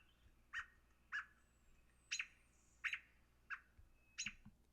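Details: American robin giving its aggressive alarm call, used when a dog, predator or person comes near: six loud, sharp, harsh clipped notes spaced about every 0.6 seconds, with a faint high thin whistle in the background.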